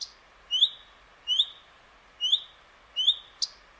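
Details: Common redstart giving a high, thin whistle that slurs upward, repeated four times at intervals of about 0.8 seconds, with a sharp tick near the end, against quiet background hiss.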